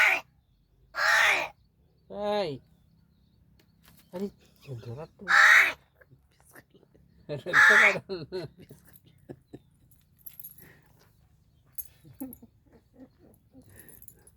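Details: Talking crow of Gargav, Palghar, angry and speaking in a different voice: several harsh caws spread over the recording, interleaved with a man speaking to the bird.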